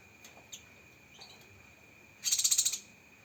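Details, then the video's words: Cucak kinoi rapid-fire 'tembakan' song: after faint scattered ticks, one loud, high, buzzy trill of quick pulses lasting about half a second, with a thin steady tone behind. "Masteran Burung Cucak Kinoi Full Isian Tembakan Pedas"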